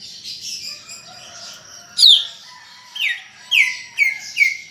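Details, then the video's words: Greater green leafbird 'gacor' chatter, opening with soft, thin warbling, then one loud falling whistle, followed by a quick string of lower downslurred notes toward the end. "Ocehan Cucak Ijo Gacor untuk Pancingan Bunyi"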